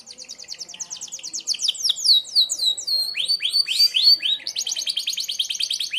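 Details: A Merlok canary delivers a sharp 'tembakan' song used for training other birds: rapid high downslurred notes, then slower arched whistles, finishing with a quick, even high trill.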